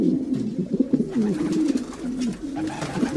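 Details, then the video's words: Several domestic pigeons give low, rolling coos that rise and fall in quick wavering phrases, a dense overlapping chorus with faint rustling behind. "Sounds of pigeons.Pigeons,domestic pigeons"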